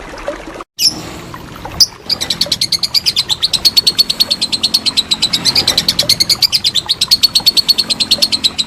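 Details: Lovebird long trill for coaching contest birds: after a brief dropout and a couple of sharp notes, an unbroken series of high rapid pulses runs steadily for over six seconds.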